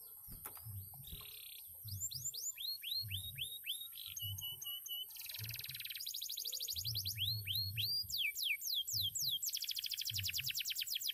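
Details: Former contest canary in full song: a buzzy note, repeated upswept slurs, dense rapid trills and falling slurred notes in changing phrases, over a steady high whine and faint low thumping.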